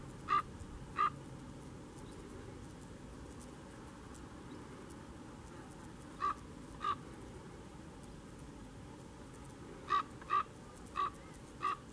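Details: Canary Islands raven at Fagagesto, Gran Canaria, in June 2017: short clipped calls in loose pairs, eight in all with long pauses between, over steady low background hiss.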